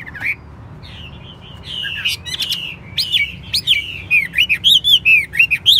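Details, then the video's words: A captive Chinese hwamei, described as a good singer and fighter, sings a rich, varied run of loud whistled phrases that slide and loop up and down, quickening into rapid repeated notes toward the end. "Hót tốt, Đấu tốt. Siêng mỏ, giọng hay"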